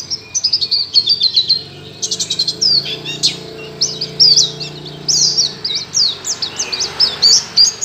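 A white-eye sings a rapid, high, twittering song of thin chips and warbled notes, pouring out in bursts with no other sounds.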